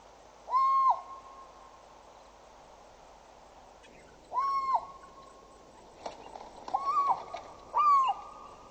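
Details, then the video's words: Two African fish eagles, a juvenile and an adult, at Djuma Dam on 6 July 2014 give loud, ringing, slightly rising single notes, spaced one to three seconds apart, over a faint steady background hum. "African Fish Eagle"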